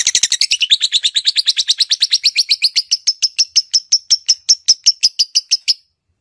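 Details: A female lovebird, used to prompt other lovebirds into singing, gives a rapid string of about thirty shrill, high chirps, rising at first, then holding steady for six seconds.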